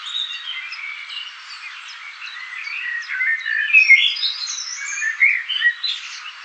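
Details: A family of Eurasian blue tits at a nest box, parents busily bringing caterpillars and insects to the young, gives a dense, restless chatter of thin, high chirps and twitters.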